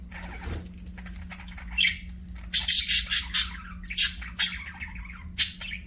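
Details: Pet budgerigars singing and chirping: bursts of harsh, high squawky chirps and scratchy chatter, several loud clustered notes in the middle, over a steady low indoor hum.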